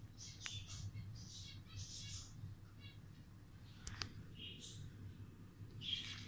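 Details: A lutino budgerigar, out of its cage for the first time, gives soft, scratchy chirps and brief warbling notes over a low indoor hum.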